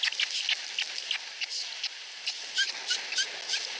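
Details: At a Finnish nest, a pair of osprey nestlings less than a week old compete for food from the female. They give rapid, thin, high peeps mixed with scratchy bursts above a constant windy hiss.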